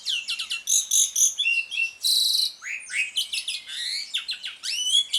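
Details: Asian pied starling giving ngriwik song, played to prompt silent starlings to sing again: rapid chattering phrases, a loud harsh buzzy burst, then several rising whistled notes and squeaky twitters in quick succession.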